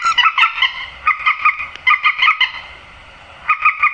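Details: Grey-headed swamphen lure call for night netting: bursts of short nasal honks in quick series, a pause near the end, then another quick run of honking notes.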